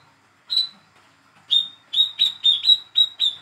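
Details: Young hand-fed olive-backed sunbird, used to prompt a silent bird, gives a single high whistled chip, pauses, then runs into a quick burst of about seven similar notes.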